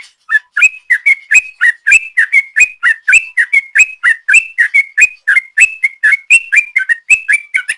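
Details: Sooty-headed bulbul in full ropel song, a lure recording: a fast, unbroken run of bright whistled notes, each with a quick up-down inflection, about four per second throughout.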